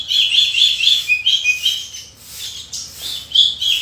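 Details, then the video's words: Dense, twittering Horsfield's bush lark song in the full fill-in style. High chirps run together in rapid, warbling bursts, dip briefly, then surge again. "Burung Branjangan Gacor full isian"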